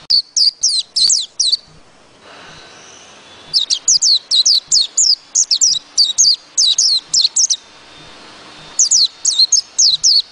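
A white-eye sings rapid bursts of high, thin twittering notes in tight clusters, pausing briefly between phrases; a faint low ticking runs underneath.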